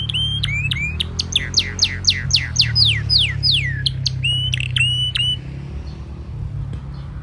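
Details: Canary singing under the wisteria trellis in Nara Park, Japan: quick ticking chips, then a series of ringing downward-swept notes, then more chips before stopping after about five seconds, over a constant low rumble of background noise.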